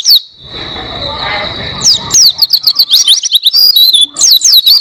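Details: Cage-bird training recording of Oriental white-eye song: a long thin sustained whistle under a hissing background, then a quick chattering run of high, sharply slurred notes.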